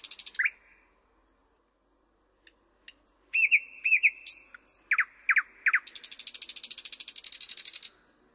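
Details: Song of a thrush nightingale. Thin high notes after a pause lead into paired strokes and loud descending notes, then a long, rapid, churring rattle lasting about two seconds.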